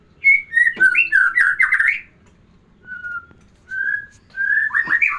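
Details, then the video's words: A white-rumped shama sings to bring a female into breeding mood, giving a quick tumbling run of rich whistles, then single sustained whistled notes after pauses, then another lively warbled run. "kicauan murai batu biar pancing birahi betina"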